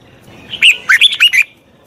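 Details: Red-whiskered bulbul song during training of a wild-caught bird, one quick phrase of about five cheerful, warbling whistled notes lasting under a second.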